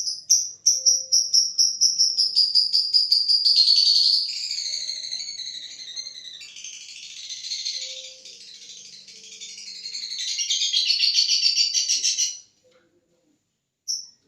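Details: Lovebird performing the 'tarek sugan' style of song, said to be contest-ready: high chirps quicken into a long rolling trill that shifts through raspy, buzzy stretches and swells again, then stops abruptly, followed by one brief closing burst.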